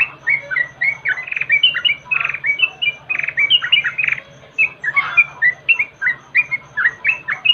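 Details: A yellow-vented bulbul used as a lure sound gives a rapid run of short, bubbly chirps and warbled notes, about two or three each second, with a low steady hum underneath.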